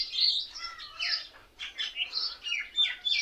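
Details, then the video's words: A flock of mynas sitting together in one tree chatters continuously with overlapping harsh chirps, squeaky whistles and rasping notes, said to be mimicking other birds. "Mayna Birds sounds"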